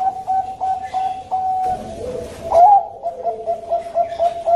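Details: Bangkok zebra dove lure song, a rhythmic chain of short, clear mid-pitched coos; a stretch of rustling noise interrupts it, followed by a sharper rising note and renewed steady cooing.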